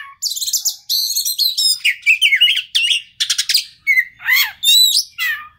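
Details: Oriental magpie-robin song used as a lure to provoke a stressed bird into singing: loud, varied phrases of sharp whistles, rapid trills, and swooping slurred notes high in pitch, delivered in quick bursts with brief gaps, clean without background noise.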